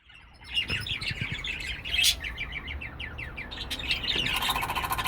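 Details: Pet cockatiel giving a quick run of bright, high chirps, short notes tumbling one after another in a chattering series, with a louder harsh burst near the middle and a rougher raspy stretch at the end.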